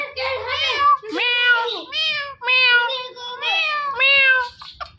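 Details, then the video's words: Talking parrot saying its local pet word, a run of harmonic, nasal, speech-like syllables repeated about five times with short gaps, indoors. "Talking Parrot"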